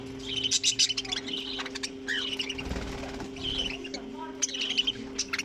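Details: Budgerigars in a colony kept together with cockatiels, giving bursts of high, scratchy chirps and warbles in several clusters, with a steady low electrical hum underneath.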